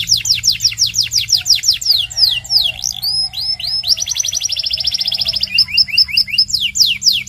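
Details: Song of a Belgian canary, played for training young canaries to sing: quick descending whistled sweeps, then a fast buzzy trill, then evenly spaced rising chirps and more sweeping notes, with a steady low hum underneath.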